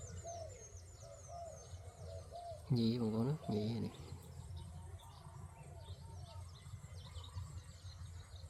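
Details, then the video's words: Captive decoy spotted dove calling wild doves in for trapping, giving a run of soft, low, rolling coos over the opening seconds; high twittering birds in the background and a man talking midway. "លលកធ្នាក់ ប្រើក្បាច់ហៅលលកព្រៃ"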